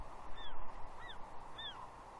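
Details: Female juvenile bald eagle on a tree at Two Harbors, Catalina, 30 June 2021, begging at her father for fish: three clear, high squeals, each arching then falling, spaced about two-thirds of a second apart, with background hiss.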